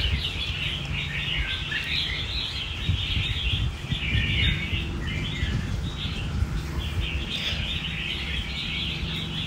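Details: Caged, recently wild-caught, shy red-whiskered bulbul (Pycnonotus jocosus) calling: bright, chattering chirps in quick bursts over a steady low background rumble.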